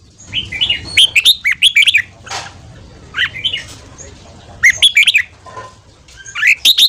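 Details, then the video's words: Morning 'ché' style song of Red-whiskered bulbul, a fast training song for stimulating newly caught birds: repeated bursts of loud, bubbling, warbled whistles in quick phrases, separated by short pauses, with a soft rustle between. "Luyện giọng chào mào hót sáng ché/kích bổi theo giọng nhanh"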